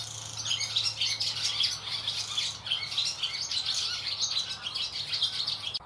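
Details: Barn swallows chirping loudly in a shed at Getterön, Sweden, on 17 May 2018: a busy chorus of quick, high chirps and twitters, overlapping without pause, over a faint low hum.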